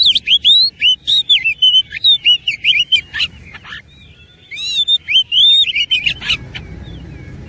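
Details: Oriental magpie-robin singing in aggressive fighting style: a fast, unbroken string of loud, high whistled notes and buzzy slurs, pausing briefly midway before resuming, with background hiss throughout.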